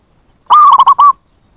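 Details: Zebra dove call used to lure wild birds: a single clean phrase of one sustained coo, three rapid choppy coos and a final drawn coo, with silence before and after.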